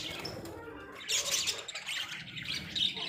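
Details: Australian budgies, several kept as pets in a small cage, keep up a steady scratchy chatter of high chirps, growing louder after the first second.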